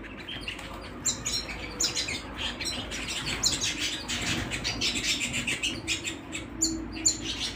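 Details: Domestic canaries at home give a busy, unbroken stream of high chirps and rapid trills, with notes crowding one another and a steady low hum underneath.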